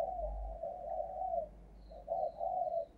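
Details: Spotted dove decoy cooing thúc gù style to draw in wild doves: soft, low, drawn-out coos, a pause, then two more, faint thin whistles of another bird and low rumble underneath.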